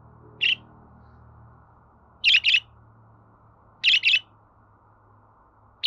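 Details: Budgerigar chirps for getting pet birds to sing: one short note, then two doubled raspy chirps about two seconds apart, with a low rumble at the start.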